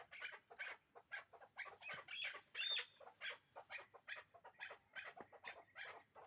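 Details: Hybrid chukar partridges, a breeding pair, utter hoarse, scratchy chuk notes about twice a second in an uneven cackle, one call ending in a thin whistled note.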